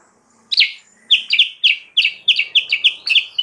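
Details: Sooty-headed bulbul (Pycnonotus aurigaster) song: a lively run of short, bright downslurred notes, about three per second, high and clear against a quiet background.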